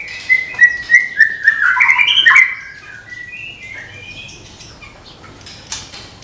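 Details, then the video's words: Caged white-rumped shama of the Medan type, ready for contest hanging, delivering a tembakan burst: loud rich whistled phrases sliding up and down quickly for two and a half seconds, then softer trailing notes and quiet. "SUARA TEMBAKAN MURAI MEDAN SIAP DIPINANG DI GANTANGAN"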